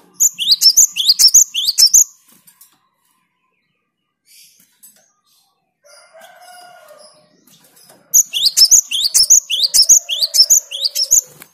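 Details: Gelatik batu, the cinereous tit, in lively gacor song meant to provoke opponents: two long runs of rapid upward-sweeping whistles, about two per second. A low, drawn-out call resembling crowing sounds in the quiet middle and beneath the second run.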